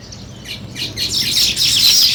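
Sparrows chirping in quick, bright bursts, several notes a second, overlapping as if more than one bird is calling.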